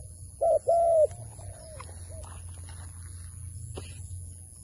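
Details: Wild dove being lured toward a trap gives a single short-then-long coo pair near the start, then softer trailing notes fade into quiet rural background hum.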